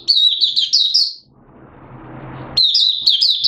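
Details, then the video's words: Malaysian Oriental white-eye in minor moult, kept caged, recorded 2 April 2023: buka sing of fast, high, slurred tweets in a short burst, a pause filled with hiss, then the twittering resumes. "Malaysian Mata Puteh Buka Sing"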